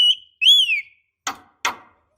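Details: Female Javan myna calling a male: a steady whistle, then a longer whistle that rises and slides down, followed by two harsh, rasping bursts.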